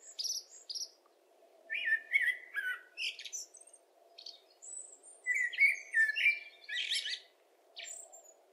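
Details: Common blackbird giving a run of varied song phrases: mellow, slurred whistles mixed with high, scratchy twitters and sharp chips, delivered in uneven bursts. A soft steady low hum runs throughout.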